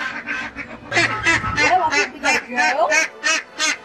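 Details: Eight-week-old female domestic duckling quacking loudly when picked up. At this age the loud quack is used to tell females from males. Harsh, buzzy quacks repeat about three times a second, and a person talks over the opening.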